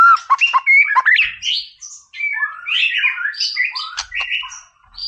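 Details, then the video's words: White-rumped shama singing vigorously as a training recording to stir up rival birds: quick stuttering chips at first, then a flowing string of rich, rising and falling whistles with scattered sharp high notes. "MURAI BATU GACOR"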